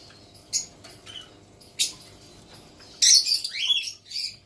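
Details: Young female white cockatoo giving harsh, noisy screeches, a few short scratchy bursts followed by a louder rasping squawk with wavering, grating notes near the end.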